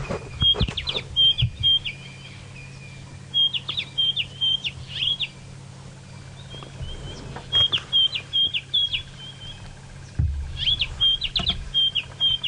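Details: White-browed scrub robin (Cercotrichas leucophrys) in Djuma Game Reserve, Sabi Sand, South Africa, at sunrise around 6 AM on 29 August 2017, sings bursts of high, clear, repeated whistled notes every few seconds over a low, steady engine hum.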